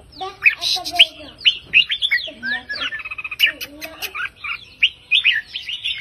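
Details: Red-whiskered bulbul performing a counted song line of 3-4-5 phrases to make listening birds excited: rapid whistled and warbled phrases rising and falling, with brief chatter between loud, bubbly bursts.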